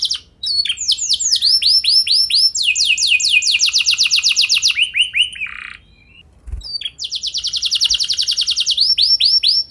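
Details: Canary lure song meant to prompt other canaries: varied phrases of rising sweeps and long rapid trills, a pause near the middle with a faint low knock, then a renewed fast trill.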